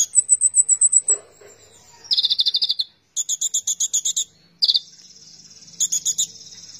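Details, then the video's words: Van Hasselt's sunbird (kolibri ninja) singing actively, used as a tutor recording: very high, rapid buzzy trills in bursts of about ten notes, pausing between phrases, with one sweeping high note run at the start. "konin gacor"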